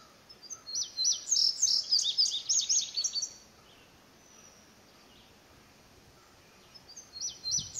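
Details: Indigo bunting singing repeatedly, perhaps responding to a house wren and other birds calling nearby: a quick, high string of sharp notes, many in pairs, for about three seconds, then a quiet pause before the next song.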